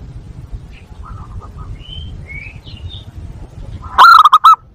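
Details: Zebra dove lure call for attracting doves and stimulating breeding: a single brisk burst of about five clipped coos near the end, after thin high chirps from other small birds over a low hum.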